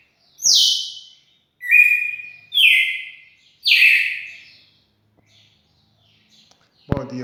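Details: Red-cowled cardinal recorded 4 February 2020 gives four loud whistled notes, high then lower then rising, before falling silent; a man then begins speaking a morning greeting.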